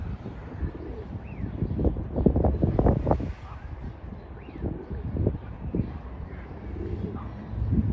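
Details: Pigeon courting a female, giving deep, throaty rolling coos in uneven bursts, with faint high chirps from other birds and some background noise.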